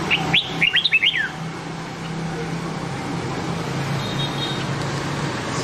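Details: A single brisk phrase of red-whiskered bulbul song in the Nam Đông style, for training white-cheeked bulbuls: quick chirpy whistles slurring downward in the first second, followed by steady low hum and faint distant tones.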